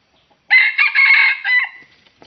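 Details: Red junglefowl lured with a decoy rooster at a trapping ground on the edge of swampy scrubland; one loud, harsh crow of about a second, broken into rough segments with a short trailing tail, in otherwise near-silent surroundings.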